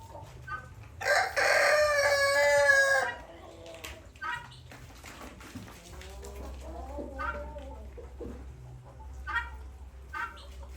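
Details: Guinea fowl, described as extremely territorial, giving a loud, harsh, strongly harmonic call lasting about two seconds, followed by shorter scattered chattering notes over a steady low mechanical hum.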